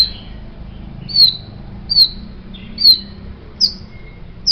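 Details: White-rumped shama, offered as master song for tutoring songbirds: single high, thin downslurred notes repeated roughly every second, with quiet pauses between them.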